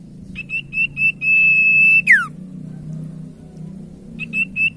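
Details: ['Common iora song used to coax silent ioras into singing: four short even whistles, a sustained whistle ending in a steep falling slide, then further short whistles, a low hum running throughout.']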